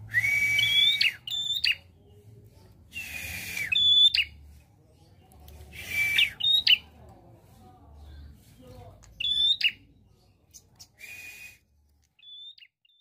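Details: Prinia singing actively with shooting variations: repeated phrases roughly every one to three seconds, each a steady whistle rising into sharp, buzzy higher notes over a rasping wash, with short pauses and a faint low hum between.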